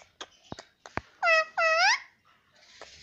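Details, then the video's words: Household parrot that talks "mummy papa" nonstop utters a loud two-note word, both notes harmonic and rising at the tail, framed by sharp clicks and taps and faint room noise. "parrot talking || nonstop talking mummy papa"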